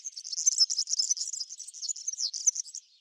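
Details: Backyard European serin, seen feeding on cabbage seeds, delivering a continuous, very high, wheezy jingle of quick twittering notes for nearly three seconds, fading at the end.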